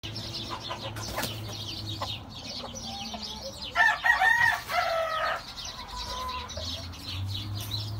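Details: A White Kelso/Gull rooster gives one hoarse, strained crow lasting about a second and a half, rising then holding, over a steady low hum and scattered faint clucks.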